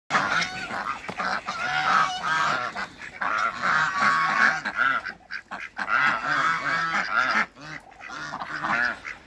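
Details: African (swan) geese on a farm with call ducks and Muscovy ducks honk loudly and harshly, calls overlapping almost nonstop, with short lulls near the middle and end; other ducks may be among the callers.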